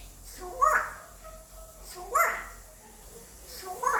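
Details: Pet male African grey parrot, five years old, kept indoors, attempting English: three speech-like utterances about every one and a half seconds, each with a bright whistled tonal streak rising over breathy voiced syllables, in a quiet small room.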